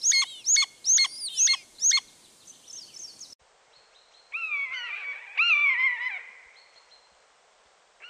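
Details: Common buzzard (Buteo buteo), a Russian forest bird, gives a drawn-out mewing call that slurs slightly downward, after a burst of quick high chattering notes from a smaller bird.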